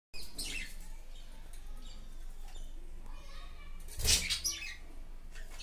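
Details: Pet budgerigars kept in a house give short, scratchy chirps over a steady indoor hum, with one louder burst of chatter.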